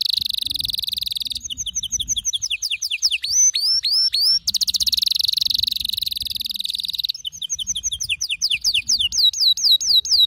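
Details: Male canary singing with great intensity: a buzzy trill, then quick stuttering notes, steep rising whistles, a dense rolling trill and a series of repeated looping swoops at the end.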